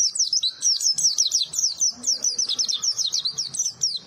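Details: White-eye's melodious song: a continuous, jittery stream of very high, quickly slurred notes for four seconds, lively and unbroken, from a small bird famed for a fiery voice.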